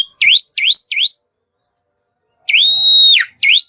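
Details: Black-winged myna song, played as a lure to coax other birds into song. Three quick V-shaped whistles swoop down then up, a pause follows, then a long steady ringing whistle and one more swooping note.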